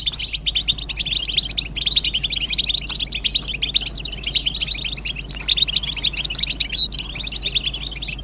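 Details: European goldfinches giving mating and readiness twitters meant to end a male's silence: continuous, lively, high-pitched chirping and liquid trills from several birds, evenly loud, with a faint background hum.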